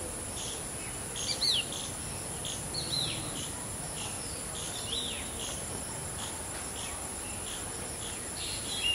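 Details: Black drongo, called ফিঙে in Bengali, copying a shikra call with a few faint, sharply falling whistles, one every second or so, against a continuous high hiss.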